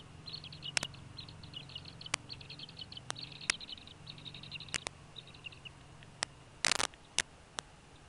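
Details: Bald eagle at a nest in northeast Florida on 14 January 2016, where a pair feeds two eaglets hatched in late December 2015. A rapid run of thin, high chittering notes lasts about five seconds, among sharp clicks and knocks from nest movement and a faint low hum.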